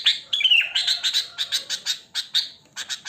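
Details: Wild sooty-headed bulbul song recorded in nature, used as a lure to make bulbuls call: busy, loud chattering of quick bright chirps and short warbled phrases, repeated rapidly with hardly any pause.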